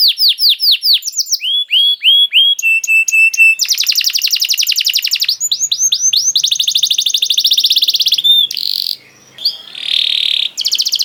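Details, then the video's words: Canary song used as bait to make other canaries sing: fast trills of downward-sweeping notes, buzzy rolls, steady high whistles and rapid chattering phrases changing every second or so, with a brief harsh hiss near the end. "Makes Emotions When Hears the Sound of a Canary One, The Most Powerful Bait || Voice of Canary"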